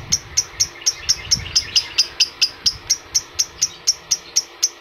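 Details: Lovebird recording meant to stir adult lovebirds into calling: a run of thin, piercing chirps spaced roughly half a second apart over a low background hum.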